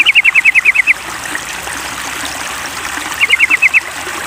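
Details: Sooty-headed bulbul in a lure recording meant to prompt singing: two bursts of sharp, evenly repeated notes, about seven per burst, over steady trickling water.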